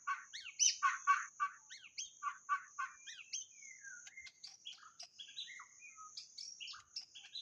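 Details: White-rumped shama used as a lure, singing a rich varied song: rapid loud rhythmic phrases, then scattered whistles, slurs and chips, with a constant high whine in the background.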